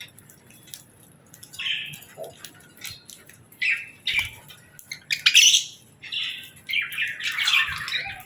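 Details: Budgerigars at evening feeding time giving a series of harsh, buzzy chirps and warbled squawks that grow louder and closer together toward the end.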